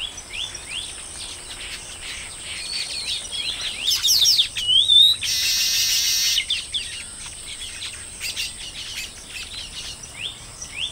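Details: Baya weaver colony with intermittent calling: sparse squeaky upslurred chirps, a lively flurry of chatter in the middle followed by a loud noisy rushing burst, then scattered chirps again against a constant high hiss.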